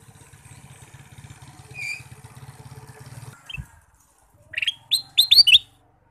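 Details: Male ruby-throated bulbul singing all day: after several seconds of a low droning engine hum, a quick run of bright, rising chirped notes bursts out near the end.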